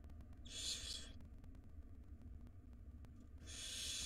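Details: Barn owl nestlings begging while the mother feeds them in a wild nest box; a rasping hissed screech, a quiet pause, then another screech starting at the end, with background hum.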